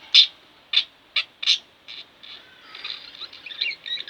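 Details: Two home-kept budgerigars give four loud, separate squeaky chirps, then slide into softer, rapid warbling chatter.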